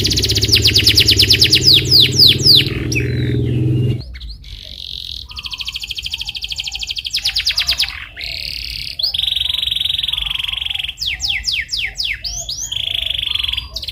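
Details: Rolling canary song used to prompt another canary to sing: fast high trills and falling sweeps over a low hum, which stops after four seconds, then sustained buzzy rolls alternating with bursts of quick descending whistles.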